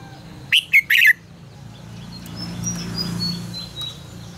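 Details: Red-whiskered bulbul in 'ché căng lửa' song for training birds: a sharp three-part warbling whistle phrase early on, followed by a rising low rumble with faint high thin whistles from other birds.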